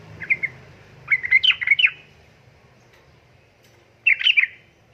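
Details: A female yellow-vented bulbul calls for a male in breeding condition, in the rapid "ngeriwik ropel" style; a brief double note, then a dense burst of chattering, bubbly notes, and another burst after a pause.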